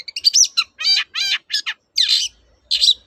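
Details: Long-tailed shrike singing, used to coax quiet shrikes back into song; quick varied phrases of rattling, buzzy and warbled notes, with short pauses between bursts.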